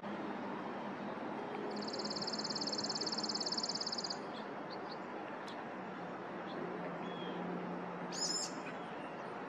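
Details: Chipping sparrow song: one fast, even, high-pitched trill of about two and a half seconds, followed by quiet with a brief sharp chip later, against a constant low droning background.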